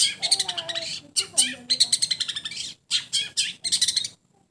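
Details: Long-tailed shrike in a sound test delivering dense bursts of scratchy, chattering notes with a few lower whistled slurs, in three to four phrases separated by brief gaps.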